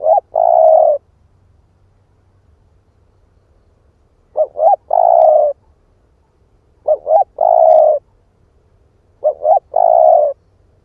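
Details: Split-breast spotted dove used as a lure to provoke wild doves, cooing four phrases. Each phrase is two brief bouncing notes and one long mellow coo, repeated every two to four seconds over a quiet background.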